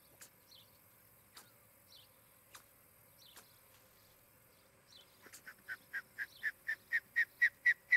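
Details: Osprey at a nest in Charlo, Montana, on a nest camera, late morning of 23 July 2018; faint scattered ticks give way to a run of whistled chirps that grow louder, about four per second.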